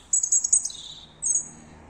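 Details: Unknown bird singing at 3 a.m., unafraid of people: a quick series of very high chirps sliding into a lower, falling trill, followed after a short pause by one more high chirped phrase.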